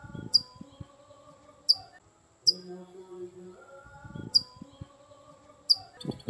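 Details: Chestnut-capped blackbird, described as ringing a lot. Sharp, bright, high metallic notes repeat roughly every second and a half, with a steady lower hum and faint low sounds between them.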